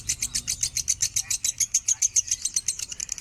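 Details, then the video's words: Lovebird minor song, standard tone, for training other birds: a short, clipped sequence of high, metallic chirps repeated evenly about three to four times a second. "suara burung lovebird minor nada standar"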